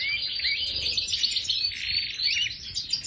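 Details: European goldfinch of the Major form in an aviary, singing a dense, continuous run of fast, high twittering and tinkling notes with short liquid trills, with no pause through the passage.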